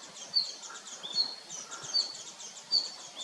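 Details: Four crisp, high clicks from a male red-flanked bluetail, spaced under a second apart, over soft background chirping and a light rustle.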